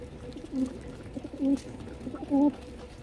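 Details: Pigeons being fed give low cooing calls, three short hollow coos rising then dropping, about a second apart, over a steady hum and faint background noise.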